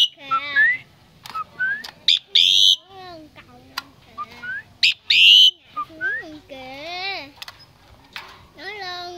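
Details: A Common Myna, recorded at a relative's home during Tết (Lunar New Year) 2018, runs through a jumble of rising whistles, gurgling warbles, sharp clicks and harsh squawks, each phrase a second or so long and quickly changing.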